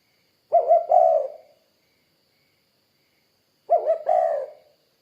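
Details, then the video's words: Spotted dove cooing twice about three seconds apart, each phrase a short double note then a longer, husky low coo, with a faint steady high hum behind. "Suara Burung Tekukur Kuk 2 Gacor"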